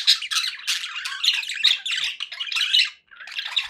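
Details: Contented domestic budgies giving lively scratchy chatter and sharp chirps, continuous calling that pauses briefly near three seconds before resuming.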